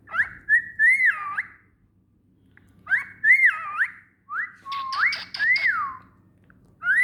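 A cockatiel sings a clear whistled tune of rising and falling phrases, repeated with short pauses.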